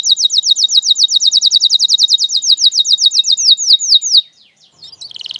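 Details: A canary sings a long, fast trill of clipped high notes that gradually slows into wider, falling whistles, then breaks off, followed by a faint buzzy phrase. Offered as a learning model for young canaries.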